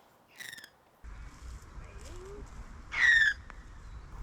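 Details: An Australian magpie alarm call, not carolling, played from a speaker to test kangaroos in the wild in Australia: two short, harsh, rasping bursts about two and a half seconds apart over a low rumble.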